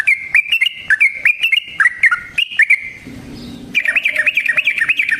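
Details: Yellow-vented bulbul in rolling, fighting-style song as a lure for other bulbuls: a stream of quick slurred notes, a short low hum, then a dense fast run of bright chattering notes.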